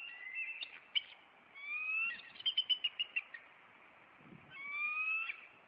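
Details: Bald eagles of a nesting pair in Maine on April 26, the male flying at an intruder and landing on a branch; high whistled chirps with harmonics, sliding notes and a burst of quick staccato chitters between longer squeals.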